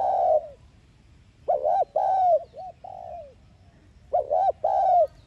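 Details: Spotted dove lure coo meant to excite a kept dove into calling. Mellow, hollow two-note phrases ending in a softer drawn-out coo, with one full phrase repeated after a short pause.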